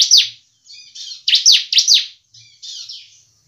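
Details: Brief semi-crystal bar-winged prinia phrase: a sharp falling chirp, soft buzzy notes, then three loud descending chirps in quick succession followed by a wavering high buzz.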